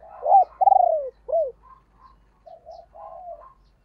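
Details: Spotted dove used as a decoy bird, calling to provoke rivals. Two loud, mellow coos bend down in pitch, followed by a short hooked note and then softer, fainter trailing coos. The background is otherwise quiet.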